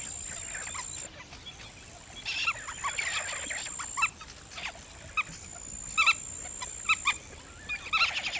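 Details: Black-winged stilts calling in a loose chorus of softer, overlapping yelps, which grow clearer and more frequent toward the end, with a continuous shrill whine in the background.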